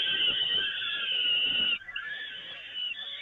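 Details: One long, rasping wail of almost two seconds, then a quieter, broken continuation, from peregrine falcons fed on the Evoluon nest grating on 13 May 2018.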